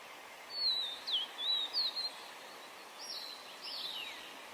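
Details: Yellow-bellied tit calling: thin, high whistled notes, some sliding down and others rising, given in a quick run of about six notes, then two fainter downslurred notes after a pause, over a steady background hiss.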